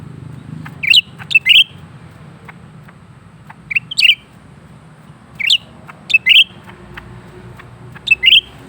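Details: Lesser green leafbird singing continuously: short sharp chirped phrases, each a quick cluster of high bright notes, given in bursts every one to two seconds, with faint low background hum and a few soft ticks between phrases.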